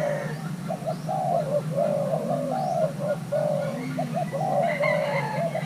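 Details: Young male Thai-cross spotted dove during pairing, urged to call, repeats low hollow coos in quick sequence, short notes and longer slurs, while faint upward chirps of other birds and a low murmur sit beneath.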